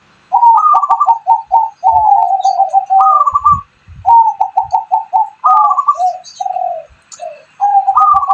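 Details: Hybrid of zebra dove and spotted dove singing, used as a lure to prompt other doves to sing, especially during morning sunning: clear mid-pitched coos in quick stuttering runs, a few rising notes between, short pauses between phrases.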